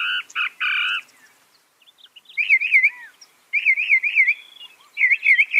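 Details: Loud, fast Northern mockingbird song: two harsh buzzy bursts, then a wavering zigzag trill, repeated three times with short pauses between.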